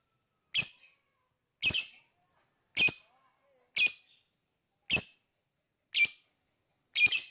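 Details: Lovebird chirping for bird whistle training, seven sharp rasping chirps spaced about one second apart with a faint steady high whistle between them.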